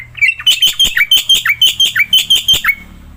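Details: Black-winged myna, a caged songster used to coax silent mynas into singing, delivers a loud, steady series of harsh, buzzy chirps, roughly four per second, some dropping in pitch at their ends.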